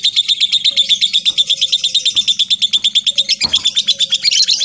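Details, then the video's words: Long ngekek trill of a lovebird, played as a lure to make lovebirds answer: a fast, shrill stream of repeated pulses at a steady rate, with one brief knock partway through and a soft low hum beneath. "LOVE BIRD NGETIK NGEKEK PANJANG"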